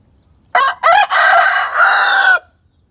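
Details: Chicken crowing in response to a played recording of a hen, calling out as if searching: two short rising notes, then a long hoarse sustained note about two seconds in all, with quiet low background hum.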